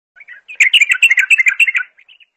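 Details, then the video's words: Bulbul singing a rapid run of bright warbled and whistled notes, rich and bubbling, with a few soft chirps before and after the main phrase. "اجمل صوت بلبل"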